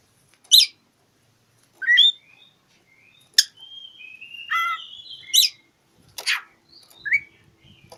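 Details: Oriental magpie-robin singing in rivalry: piercing sharp notes, long steady whistles and a rich warbled phrase, with short quiet pauses between bursts and a faint low hum near the end.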